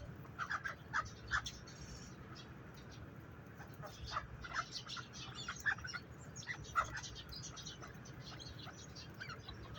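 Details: Partridge chicks give soft, high peeping notes, scattered and repeated irregularly over a steady low background hum.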